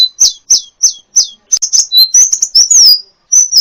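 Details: Sunbird called kolibri ninja, recorded as a singing model for other birds: four measured, high chirps that drop in pitch, then a quick jumble of squeaks and a long thin whistled note.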